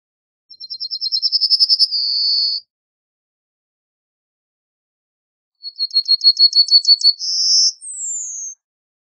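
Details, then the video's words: Yellowhammer giving two full song phrases several seconds apart. Each is a rapid series of high repeated notes leading into a prolonged buzzy note, and the second ends with a thin falling whistle. "Yellowhammer Song! Yellowhammer Call! Yellowhammer - Escribano Cerillo Canto - Emberiza Citrinella"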